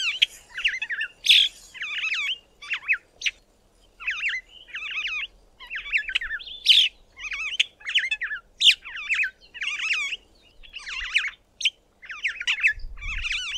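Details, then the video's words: Cape (Glossy) starling singing its cheerful song from the top of a small tree: a run of short, slurred whistles and chirps, phrases bursting out about every half second, faint low rumble at the end. "CAPE (Glossy) STARLING singing its cheerful song"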